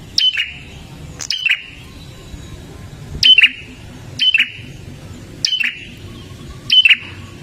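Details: Olive-backed tailorbird, sound used to prompt caged birds into song: sharp, piercing high notes, each dropping quickly in pitch, repeated roughly once a second in single or doubled bursts over a low background hum.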